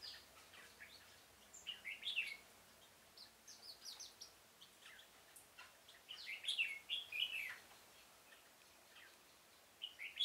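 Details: Decoy red-whiskered bulbul singing to lure wild birds during trapping in a pomelo garden on 25 October 2017. It gives quick, bright, warbling phrases in bursts, with softer chirps between them.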